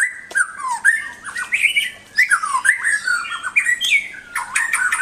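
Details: White-rumped shama song used to train pet birds: a continuous, varied stream of descending whistles, scratchy notes and slurred phrases with little pause.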